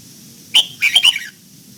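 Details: Red-whiskered bulbul in morning voice training, pushed to sing the old-forest double note; a brief phrase of three or four clear whistled notes, bright and slightly descending at the end, over low background hum.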